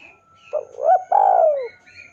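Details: Spotted dove lure call for provoking a rival: one full phrase of a short hoarse coo, a rising two-part note, then a long, loud, slurred coo dropping in pitch, with faint higher chirps behind.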